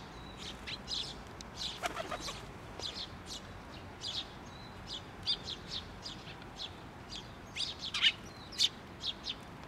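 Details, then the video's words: Young bird calling from a post at a Tenmangu shrine, 16 May 2023, with a parent returning; a dense, uneven stream of high, thin chirps, louder toward the end, over light background noise. "支柱の上で鳴いてた雛鳥 親鳥が戻って来た"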